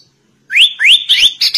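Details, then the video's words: A sooty-headed bulbul imitating a white-rumped shama: four clear, rising whistles, about three each second, the last buzzier and higher. "Kutilang Rasa Murai Batu"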